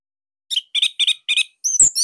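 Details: Orange-headed thrush from Bali, song kept as master training material; four evenly spaced doubled chirps about every quarter second, then a high fluty twittered phrase.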